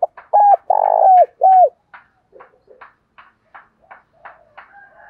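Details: Spotted dove calling to stimulate a male to coo: three low, smooth hooting coos, the middle one longest and loudest, then a run of faint short clicks and taps through the remaining seconds.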